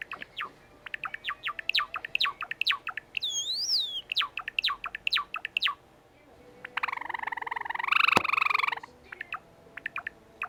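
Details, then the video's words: Pet sakura-patterned Java sparrow singing: quick runs of sharp chirps, a wavering high whistled note near the middle, then a long buzzy, drawn-out phrase before a few closing chirps. "桜文鳥ほーちゃん！さえずる！ さえずり文鳥動画 Java sparrow chirping"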